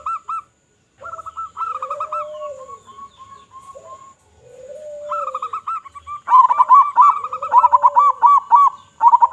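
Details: Local zebra dove singing loudly, used to lure other zebra doves: bursts of fast, clipped coos alternate with drawn-out lower hums, building into rapid overlapping cooing from more than one bird near the end.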